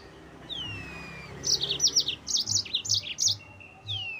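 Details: Yellow-fronted canary song used to stir up rival birds: a run of quick, high, sharply chirped notes after a couple of thin descending whistles, ending with another falling whistle.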